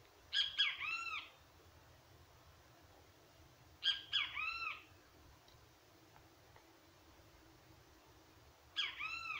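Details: Great kiskadee song repeated three times about every four seconds, each a pair of sharp high notes run into a drawn-out, arching, harmonic note; quiet low hum underneath.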